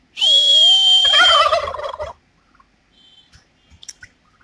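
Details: Male turkeys dancing to impress females in a mating display; one loud gobble lasting about two seconds, a high whistled tone over a rapid, warbling rattle, then fading into quiet scuffling.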